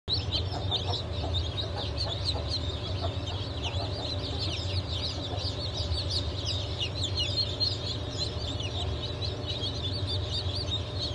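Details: Newly hatched chicken chicks of several breeds (Blue, Light Brahma, Wyandotte, Sebright, Legbar), hatch of 07.07.2023: a dense chorus of high, arched peeps from many chicks over a steady low machine hum.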